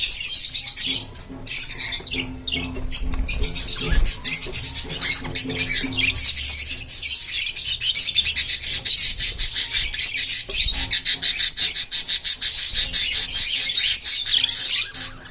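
Budgerigars keep up a dense, busy chatter of high chirps and warbles with no pauses.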